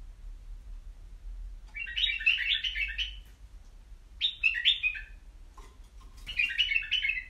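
White-eared bulbul singing three short bubbly, warbled phrases about two seconds apart, mid-pitched and chattering, over a low background hum.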